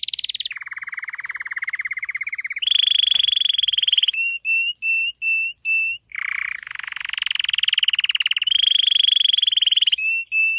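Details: Canary singing loud, rapid rolling trills that shift between pitch levels, alternating with short repeated whistled notes spaced about half a second apart, then more buzzy rolls; no other clear sounds.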